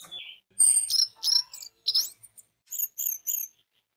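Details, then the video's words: Brief song of an orange-headed thrush, used as a lure for other orange-headed thrushes. It has a quick chain of varied whistles and chirps and ends in three evenly spaced, very high notes. "DENGAN SUARA ANIS MERAH INI 99% ANIS MERAH AUTO BUNYI DAN SINGSET"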